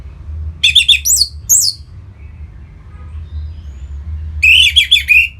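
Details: Orange-headed thrush in Singaraja, North Bali, singing to stimulate other birds: a few sharp, rasping high phrases with downward slurs, a quiet stretch, then a dense fast warbling outburst.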